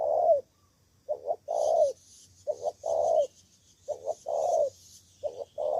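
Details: Decoy spotted dove from Cà Mau, Vietnam, answering wild rivals in a ground decoy fight, giving a steady run of low coo phrases: quick double notes followed by a drawn-out rolling coo, repeating about every one and a half seconds.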